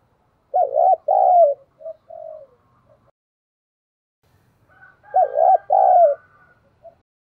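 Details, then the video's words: Spotted dove kept as a decoy to make wild doves coo, giving two bursts of a quick double coo run into a long falling coo with soft trailing notes, separated by silence. "Chim Cu Mồi/ cu gay kich boi nhanh noi gù"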